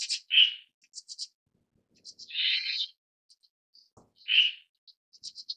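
Red-billed Starling giving three harsh, grating bursts between thin, high chips and squeaks, with a soft knock in the middle.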